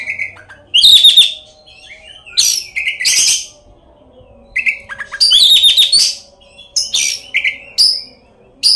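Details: Oriental magpie-robin in full song, with many mimicked fill-ins, used as a lure to provoke rival magpie-robins into singing; loud bursts of sharp, scratchy high notes and rich warbles alternate with short whistled phrases and brief pauses.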